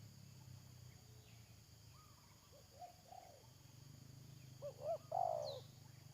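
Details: Spotted dove decoy calling during a trapping session. Soft, scattered coos are followed by a sequence of short rising notes and a strong, drawn-out wavering coo. A low background hum is audible.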